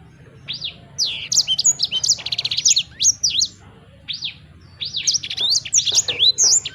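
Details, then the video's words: Sanger bird giving two bursts of shrill chirps and rattling trills separated by a short quiet spell. "Burung Sanger Anda Bunyi Seketika"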